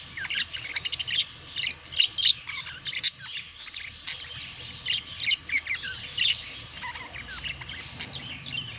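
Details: Budgerigars during courtship and mating, kept as pets, giving continuous busy chatter: rapid high chirps, squeaks and short warbled notes tumbling over one another with brief louder bursts, under a faint steady low hum.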